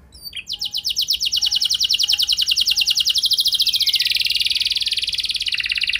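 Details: Canary song used as a lure to make other canaries respond: a long, fast, evenly rolling trill of high repeated notes that slowly drops in pitch, with faint low tonal beeps in the background.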